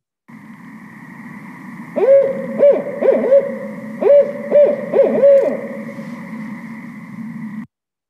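Barred Owl giving its rhythmic 'who cooks for you, who cooks for you-all' hoots, two groups of about four notes over six seconds, with a steady electronic hum behind.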